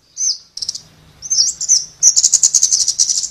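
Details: Scarlet-backed flowerpecker: a thin high note, a stuttering series of sharp ticks and slurs, then a fast, bright, pulsed trill at very high pitch.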